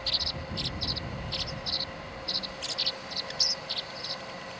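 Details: Tree swallow chicks contesting the feeding spot, 26 July 2011: a quick series of high, squeaky chirps in uneven clusters, with a steady background hum and low rustle.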